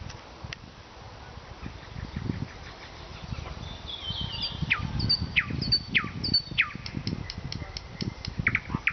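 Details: Nightingale song recorded in Vologda, Russia: loud downward-sweeping whistles repeated about once a second, then quick sharp clicks, over steady low rumbling background noise.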